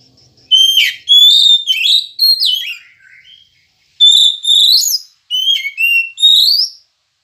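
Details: Oriental magpie-robin song used as a morning prompt for caged birds: a run of loud whistled, slurred phrases with falling and rising notes, delivered in two bursts with a short pause between, no other sounds.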